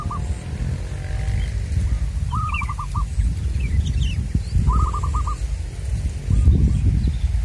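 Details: Wild local zebra dove sung during lure trapping: brief bursts of fast, stuttering coo notes repeated roughly every two seconds, with faint high chirps of other birds and steady low-frequency background noise.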